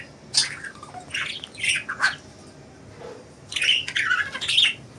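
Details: Several loose budgies giving scratchy squawks and short chirps. A cluster of calls comes first, then a brief pause and a low note, then a denser run of harsh, wavering calls.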